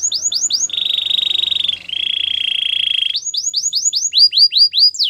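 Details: Gloster canary singing arching whistles, a long low buzzy roll that drops slightly in pitch midway, then a rapid series of swooping whistled notes.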